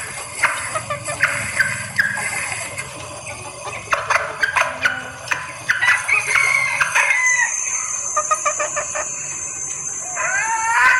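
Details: Female red junglefowl in breeding condition calling for males, used as a lure: irregular quick clucks and short sharp notes, then a few tonal rising calls near the end, with persistent hiss throughout.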